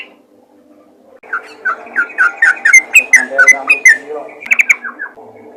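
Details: Yellow-vented bulbul calling other bulbuls: after a quiet second, a lively run of liquid warbled notes, rising and falling, builds into quick chattering phrases before fading.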